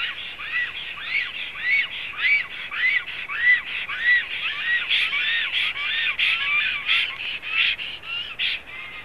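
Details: Black storks at a Latvian nest in Zemgale, April 2016: steady hoarse chatter of curved, rising-falling notes nearly twice a second, growing denser and a little sharper in the second half.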